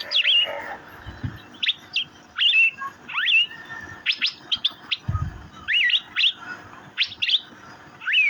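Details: Cucak biru, the Asian fairy-bluebird, chirping busily: clusters of sharp upswept notes alternate with curling whistled slurs, spaced about every half second, with a couple of soft low thuds.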